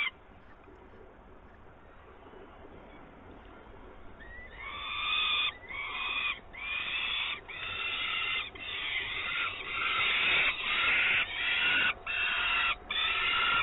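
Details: At a Włocławek nest on 24 May 2022, an adult peregrine falcon arrives with live prey. Four quiet seconds give way to a rising wail, then loud, grating drawn-out calls repeated back to back in quick succession.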